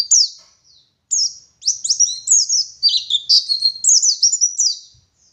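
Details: Local West Java dakun Oriental white-eye from Garut singing gacor ngalas: a busy stream of shrill chirps and overlapping downslurred whistles, dense in the middle and trailing off near the end.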